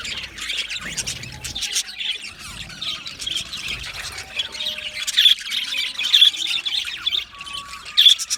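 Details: Budgerigars, Australian parakeets, sing a steady mix of high buzzy chirps, squawks and thin whistled notes, a flock chattering continuously with occasional louder sharp chirps.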